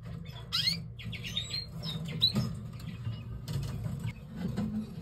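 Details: From a yellow canary and red mosaic canary pair come sharp falling sweeps, then a rapid run of high repeated notes and scattered chirps, with clattering and a constant low hum in the room.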